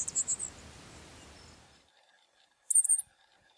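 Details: Black-masked finch at Pompéu, Minas Gerais, Brazil: the tail of one thin, high note series, then near silence, then another short, sharp burst of shrill buzzy notes.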